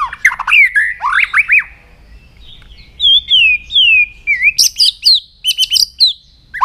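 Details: Morning song of a white-rumped shama during voice training, with steep rising whistles, then a series of smooth descending slurred whistles, followed by sharp, rapid high-pitched chips and trills.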